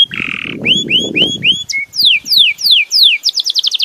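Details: Belgian canary song opening with a harsh buzzy note, then upward-curving whistled slurs, a short flat whistle, evenly spaced descending sweeps and a quick closing trill; some low rustling early on.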